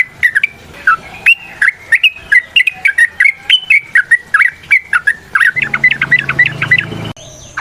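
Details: Yellow-vented bulbul singing a long fighting song meant to draw replies from other bulbuls. Short, rich whistled notes bounce up and down in a rapid repeated series, ending in a quick run of rising chirps.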